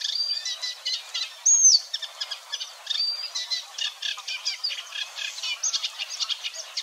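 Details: Eurasian reed warbler singing in marshland near the Weerribben at Wetering West, Overijssel, on 6–7 May 2022: a steady, chattering run of grating and churring notes repeated several times a second, with a few clear whistled phrases and some mild imitation mixed in.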